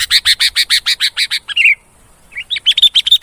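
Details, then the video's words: A quick series of about ten clipped chirps ends in a falling slur, then after a short gap bright whistled notes rise again. A sooty-headed bulbul lure call to attract bulbuls and make reluctant birds sing. "Suara pikat burung Kutilang"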